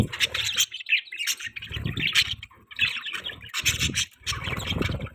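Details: Budgerigars chirping while eating: dense bursts of scratchy, warbling chatter in short runs separated by brief pauses, mixed with low knocking and rustling thumps.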